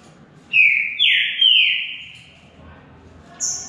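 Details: Green-winged saltator singing during a contest between two birds: strong whistled notes sliding down, then a long level whistle fading out, followed by a brief high thin note.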